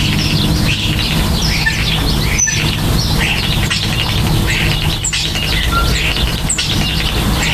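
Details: Common starlings nesting and building a nest: dense, overlapping chatter of whistles, clicks and squeaky notes, with several birds calling at once and a steady low hum in the background.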